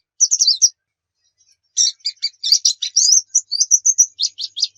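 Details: Javan white-eye, locally called pleci, singing as a training recording for caged birds: a short twittery burst, a pause, then a long run of shrill chirps, slurred whistles and quick high notes.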